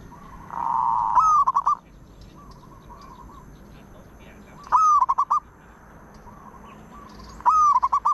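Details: Zebra dove singing: a long low coo, then three phrases, each a sharp rising note followed by a quick stuttering run of short rolling notes, spaced about three seconds apart, with softer coos between them and a quiet background.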